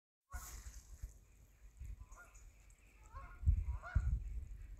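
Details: Canada geese flying by, giving a few scattered harmonic honks, some paired, that grow louder toward the end, over heavy low wind rumble.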